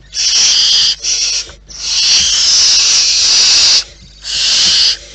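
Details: Loud, harsh hissing from wild barn owls at the nest: a short burst, a second brief one, then a long drawn-out hiss of almost two seconds and another shorter rasp.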